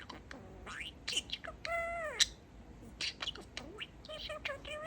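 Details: Talking pet male budgerigar chatting and varying its favourite phrase to 'Peek-e-boo'. Clicks and ticks lead into a strained, harmonic sliding phrase. Scattered squeaks and wavering warbled notes follow.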